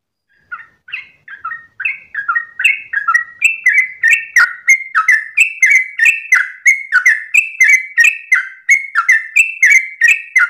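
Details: Sooty-headed bulbul in long ropel song at dawn. It starts with a few soft notes, then quickly builds into a steady stream of loud warbled whistle phrases, about two per second, each phrase slurring downward.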